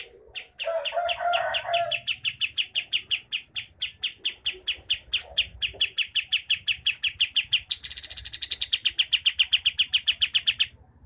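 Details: Sumatran sooty-headed bulbul, from Pangkalan Jambu in Merangin, Jambi, delivering a tight rolling song. A fast, even stream of sharp high ticks runs throughout, briefly overlapped by a lower warble near the start and a thinner, higher burst later.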